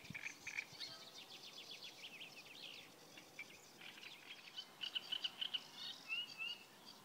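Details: Great reed warbler recorded on 15 May 2016 beside the Kyjovka stream near Lanžhot: quick runs of harsh, rasping syllables with brief pauses, followed by sharper whistled notes, over constant low background noise.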